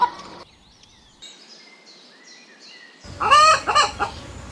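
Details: Rooster crowing among chickens and rabbits foraging for food in the grass. A short cluck opens, then a quiet stretch with faint small-bird chirps. Near the end a loud, harsh, wavering crow bursts in and is cut off.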